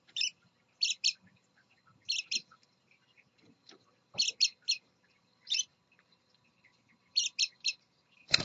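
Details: Father scarlet-chested parakeet with his young, with crisp high double and triple chirps repeated every second or so over near silence and faint soft clicks.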